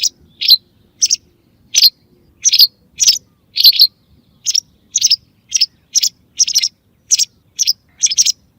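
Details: Rapid series of about sixteen short, high white wagtail chirps, some paired into two-note calls, delivered roughly twice a second. The recording is used for hunting wagtails, and there are no other clear sounds.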